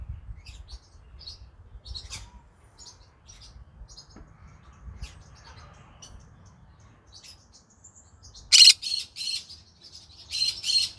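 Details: Green-cheeked conure in the evening: soft faint chirps for several seconds, then a sudden series of loud harsh squawks and screeches near the end.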